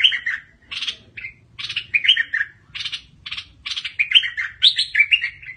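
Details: Steady, rapid bulbul song in the aggressive style: clusters of chirps and warbled slurs repeated again and again with barely any gaps, becoming denser toward the end.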